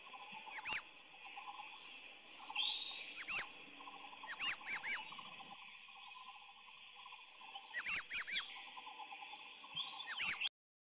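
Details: Grey-chinned Minivet (Pericrocotus solaris) giving thin, very high, sharp notes, alone or in quick runs of two to four, every few seconds, with softer sliding notes between.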